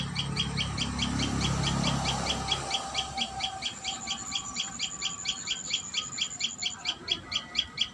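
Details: Common tailorbird at the nest: a rapid train of high chirps runs throughout, at first partly under a low rumbling noise that fades away, leaving the clear, evenly spaced notes.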